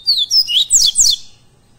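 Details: Live training recording of a Double-collared seedeater (coleiro pardo) for captive birds: rapid high whistled downslurs running into louder, rougher sweeping notes, five or six notes in under a second and a half.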